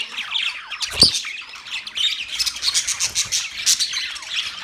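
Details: A sharp squawk opens a budgerigar chorus that runs into quick, uneven high chirps and scratchy warbling, growing busier toward the end.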